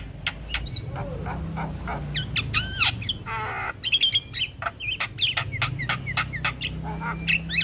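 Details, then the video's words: Javan myna in stressed response to another Javan myna's call: clicks, a harsh buzzy rattle, curved whistles and scattered chirps over a steady low rumble. "Jalak Kebo Macet Bunyi / Jalbo Stres Seketika respon dengar panggilan Jalak Kebo full Isian"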